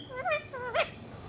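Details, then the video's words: A pet ring-necked parakeet says three quick, slurred, speech-like syllables in a squeaky, nasal voice, the last ending with a harsh burst. "ringneck parrot talking"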